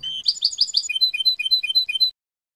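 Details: European goldfinch clean song, the jilguero style: a tumbling burst of bright twitters followed by a rhythmic series of clear doubled chirps, then quiet.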